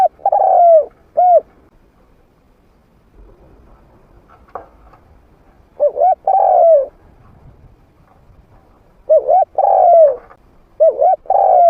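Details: Medium-voiced trained spotted dove calling as a lure for wild doves, which approach to fight without being scared off. Repeated mellow coo phrases: a quick wavering double note, then a drawn-out coo falling at its end, with pauses between phrases.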